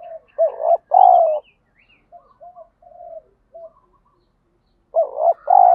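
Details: Spotted dove call used to stir a decoy into fighting; loud two-part coo phrases open and close the recording, with soft, short, scattered coos from another dove in between.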